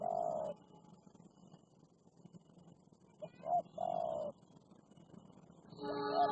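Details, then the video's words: Combative wild spotted dove reacting to a captive decoy dove: a rolling coo, a pause, then another short note and long coo, ending with a brighter overlapping call. "Tekukur Liar Galak Banget"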